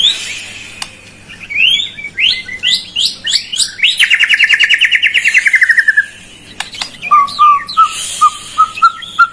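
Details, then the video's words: White-rumped shama song as a lure for a silent bird: descending buzzy notes, a long fast rattling trill, then a row of soft evenly spaced whistled notes slowly rising. "PANCINGAN PALING JITU UNTUK MURAI YANG MALAS BUNYI"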